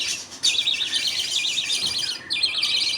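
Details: Budgerigars in a colony at feeding time, father budgie feeding two young; almost unbroken, wavering high twitter with a brief drop near the middle.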